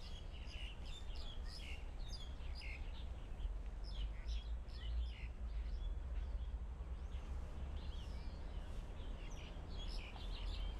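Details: Verditer flycatcher in Hong Kong: a scatter of short, high chirps and twittering notes, coming every second or so, over a steady low rumble of wind or distant traffic.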